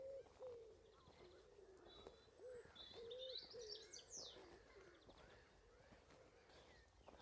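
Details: Wood pigeon gives soft, low, hooting coos in a short run on a summer riverbank walk by lakes in the Fens, with the higher, twittering songs of smaller birds over a light outdoor background.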